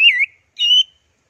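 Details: Anis merah, the orange-headed thrush, in a 'teler' masteran song: a bright warbled whistle that dips and rises, a short pause, then a steady high clear whistled note, with no other sounds.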